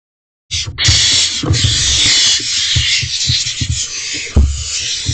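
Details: Barn owls in a nest box at 3:27 am on 12 May 2023 as an adult male brings food and the owlets rush to be first. A continuous harsh, broadband hissing rasp runs throughout, with low thumps and bumps of movement.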